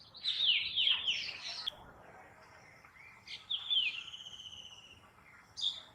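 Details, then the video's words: Black drongo giving harsh, scratchy high calls and metallic, slurred whistles in short bursts, with a quieter drawn-out whistle between them. "Black Drongo - Police or Thief ?🤔 | ऐसा पक्षी जो चोर भी है और पुलिस भी 😳 |Call 🎶"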